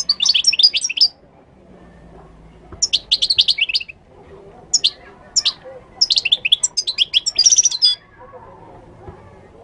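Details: Moroccan goldfinch singing long, rapid phrases of bright, high twittering and trilled notes, each lasting one to two seconds, broken by brief pauses and a faint low rumble.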